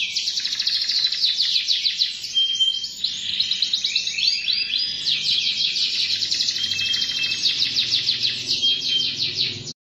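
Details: Canary singing a continuous song of fast repeated high trills and rolling phrases, some notes sweeping downward, with brief switches between tours and a slight low hum underneath.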